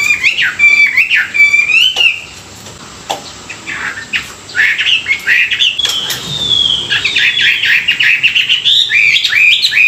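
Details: Chinese hwamei singing in the morning during song training, stirring a newly caught bird: loud, varied whistled phrases with rising and falling slurs, brief pauses between bursts, some sharp clicks.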